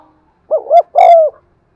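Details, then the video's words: Spotted dove giving its cooing and driving call, said to work well for stirring up wild doves when played to lure them; a single phrase of two short low hollow notes followed by one longer, steady coo. "tiếng cu gáy gù và thúc giọng son anh em mở nên kích bổi thì rất hiêu quả"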